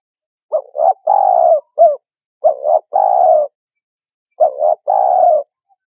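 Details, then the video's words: Spotted dove, recorded as a trapping lure, gives three cooing phrases about two seconds apart, each two quick notes running into a long purred coo, the first ending with an extra short note. "Tiếng Chim Cu Gáy"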